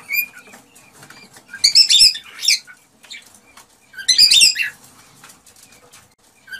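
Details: Cockatiels, in audio used to prompt mating, give two loud bursts of rapid, grating chirps about two seconds apart, with soft scattered twitters and a faint earlier whistle.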